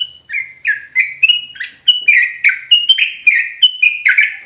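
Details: Sooty-headed bulbul singing agitatedly in rapid ropelan style: a long, even string of short chirps alternating high clear and lower slurred notes, about three per second, across four seconds.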